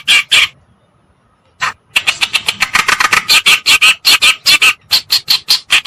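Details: Kerakbasi (cikrok) reed warbler, white-browed or black-browed form, played as a bird-attracting lure: two grating notes, a pause of over a second, then a dense, accelerating stream of harsh, scratchy notes.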